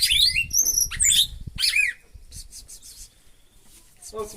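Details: Spirited red-cowled cardinal from northeastern Brazil giving a burst of clear, sliding whistled notes for about two seconds, then fainter chirps. A man's voice is heard faintly in the background.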